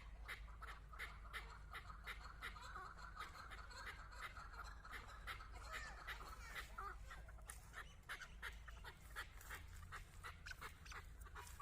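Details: Long steady series of coarse chuck notes from a chukar partridge kept as a hunting decoy and facing a female, nearly three per second, with fainter calls and low rumble underneath.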